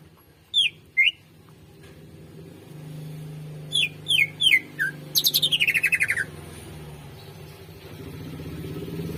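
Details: Greater green leafbird song for training other birds: a few sharp falling whistles, then a fast buzzy trill that slides downward. A steady low mechanical hum runs underneath.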